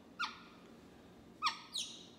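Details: A male pet caique, asked what is in a cup of tea, answers in short, nasal, parrot-voiced bursts, apparently saying "coffee", his word for tea too: three clipped utterances over two seconds against a quiet indoor background.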